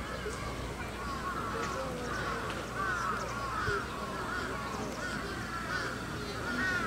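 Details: Grey crowned cranes calling at Chiba Zoological Park in Japan on 20 October 2018, a dense run of honking, curved notes repeating continuously against constant background chatter and crowd noise.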